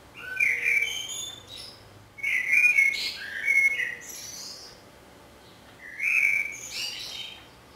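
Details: A Common Blackbird sings in Budapest on 27 May 2014, recorded from a window hide, giving three mellow, fluted warbling phrases a couple of seconds apart, each ending in a thin, high twittering flourish.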